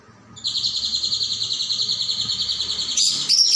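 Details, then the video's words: Leafbird singing on a recording used to train other songbirds: one long, high, buzzy, rapidly pulsing note runs for nearly three seconds, ending in a brighter, sharper burst. "MASTERAN CAIJO GACOR"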